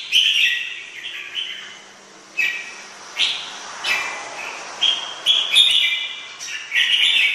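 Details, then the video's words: Red-whiskered bulbul song, said to be among the best of 2017: clear whistled phrases around two to four kilohertz, delivered in short bursts with pauses, some notes rising and a few sharp high chips in between. "Chim chào mào hót hay nhất năm 2017"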